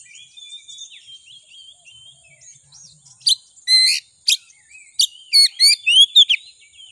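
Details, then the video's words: Oriental magpie-robin, called kacer, singing in a bait recording to stir a rival: soft thin warbling at first, then loud harsh buzzy bursts and quick bright downslurred whistles in a tight, excited sequence. "Suara Pancingan Kacer Agar Cepat Emosi Gacor ! Pancingan Paling Ampuh Buat Menaikan Emosi Kacer"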